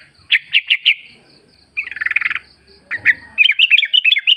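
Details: Forest recording of wild sooty-headed bulbul as a lure. A few evenly spaced sharp notes, a buzzy chattering burst, then quick lilting chirps.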